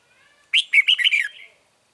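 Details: Single loud phrase from a red-whiskered bulbul at a trap for wild birds, 9 March 2020: four or five rapid, liquid whistled notes tumbling slightly downward in about one second.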